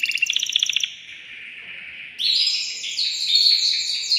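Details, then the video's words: Male canary stimulating a female to mate: a rapid pulsed trill, a softer lower stretch, then a loud burst of quick high warbled trills. "تغريد ذكر كناري هائج يريد تكسير القفص يحفز الأنثي لتزاوج"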